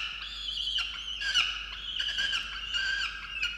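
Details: Peregrine falcon in a water-tower nest box at Orange, New South Wales, Australia, on 8 November 2022, calling angrily at its mate for not bringing breakfast; harsh, wailing cries with strong harmonics, sustained and slightly wavering, broken by sharper accents.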